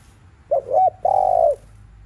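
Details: Spotted dove cooing in the afternoon, 'thúc liu riu' style. Two quick, rising-and-falling notes are followed by a long, level, mellow coo that dips at its close, over a low background hum.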